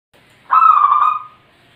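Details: A single rolling, slightly trilled cooing phrase of under a second from a zebra dove singing vigorously in the wild, clean and close with a quiet background.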